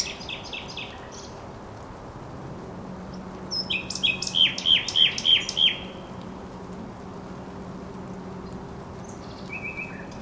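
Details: Thrush nightingale, Żerański Canal, 24 April 2022: a few quick notes open, then after a pause a loud, steady run of about six ringing, evenly repeated knocking notes, then a brief high trill, over a low background drone.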